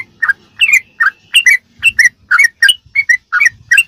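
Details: Sooty-headed bulbul song in the fast 'ropelan' style, a recording meant for teaching captive birds: chirpy, gurgling whistled notes, mostly doubled, tumbling out about three per second, with faint low background noise.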